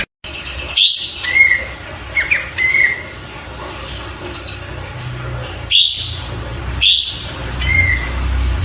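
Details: Oriental white-eye tutor-recording song: scattered short bright phrases, each a sharp rising chatter followed by a slurred whistle, separated by several seconds of quieter background hiss.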